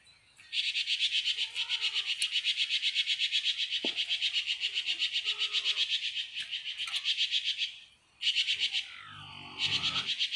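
A Red-tailed Minla gives a long, high, buzzy chattering trill of rapid pulses, about four a second, then pauses and resumes in short bursts. Faint lower notes sound beneath.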